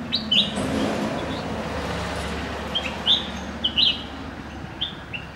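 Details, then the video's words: A red-whiskered bulbul sings short, bright, slurred whistled phrases in loose groups of two or three notes, over a low rumble of distant traffic. "Red-Whiskered Bulbul Singing"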